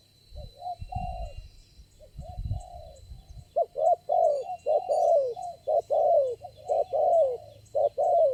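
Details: Wild spotted dove responding strongly to a lure bird during trapping. A few softer, drawn-out coos come first, then loud, clipped cooing phrases repeat rapidly, with low rustling noise early on.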